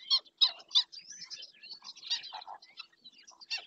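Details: Black-winged stilt picked up by a nature camera in Doñana National Park: three sharp, nasal, high yelping notes in quick succession open the passage, followed by a looser scatter of quieter chirping notes.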